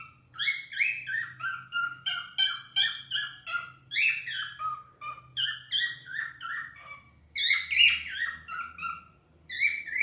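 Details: Pet cockatiels singing indoors: a run of short warbled phrases, each a quick cascade of bright whistled notes stepping downward, with brief pauses between bursts and a faint low hum beneath.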